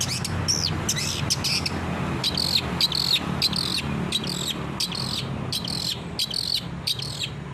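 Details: Energetic long-tailed shrike song used as a training recording for captive birds: harsh, scratchy bursts repeated about three times a second over a steady low hum.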